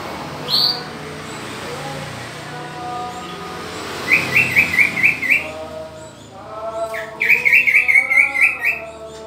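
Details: Green leafbird kept in captivity while being paired, with two bursts of quick chattering notes a few seconds apart and a brief high note at the start, over a constant low background drone.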